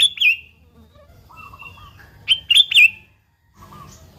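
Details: An energetic sooty-headed bulbul, recorded pure without added sounds to lure other bulbuls into song, gives a short chirp, a soft lower warble, then a loud rapid run of three bright, bouncing notes before a pause.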